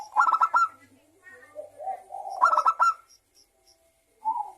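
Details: Zebra dove song meant to draw local and Bangkok perkutut into singing: a rapid stuttered burst, then low wavering coos, a second burst, and a brief final coo.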